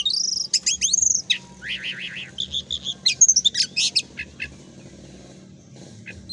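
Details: Oriental magpie-robin (kacer) in lively ngobra-style song, kept as master training audio for a group of birds: dense rapid chatter of high sweeping whistles and trilled buzzy bursts, with a faint low hum beneath.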